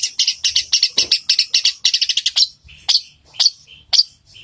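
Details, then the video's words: Long-tailed shrike singing a rapid fighting song in the style of a sparrow: a dense run of bright high chirps, a few per second, then slower, widely spaced sharp single notes. "Cendet suara gereja tarung roll speed gacor di jamin cendet anda langsung emosi"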